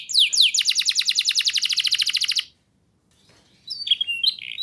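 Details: Canary singing to prompt young birds: a couple of sliding notes open a fast, rattling high trill of about two seconds, then silence and a few twisting whistles.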